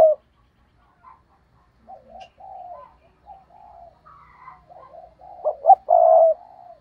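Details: Spotted dove decoy bird cooing to provoke rivals in the 'gù cà lăm' stutter style: a run of soft low coos, then one loud phrase of clipped stammered notes into a long mellow coo.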